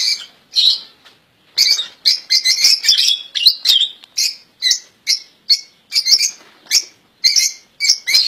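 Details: European goldfinch, one of several caged birds, sung as an error-free royal goldfinch song: short, sharp chirped bursts and liquid twitters coming in quick succession across the whole stretch, each phrase clipped and high-pitched.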